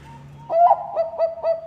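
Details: Bangkok-type zebra dove singing, a voice kept to prompt other doves into song. After a faint low hum, a loud ringing coo is followed by three quick, evenly spaced cooing notes.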